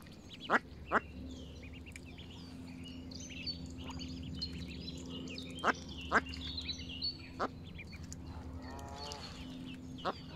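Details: Mallard ducklings in the sun at Longton Park, Stoke on Trent, on 30 April 2022, giving faint high thin peeps among sharp clicks and knocks, with one short nasal harsh call near the end and a low background hum.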